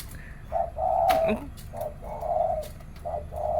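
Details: Zebra doves in the morning, singing against each other in competition: repeated cooing phrases, each a short note followed by a longer rolling coo, about every second, with clicks and a faint low hum behind.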